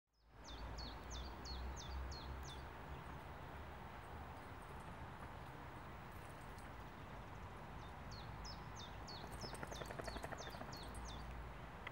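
A common chiffchaff sings two short bursts of five or six high, clipped notes alternating in pitch, over a steady low rumble of traffic or wind.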